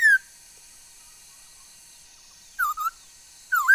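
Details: Chinese hwamei, recorded 13 August 2021 and said to sing many kinds of sounds, gives a falling whistle, a long silence, then a pair of dipping whistled notes and a looping rising phrase against a faint steady hum.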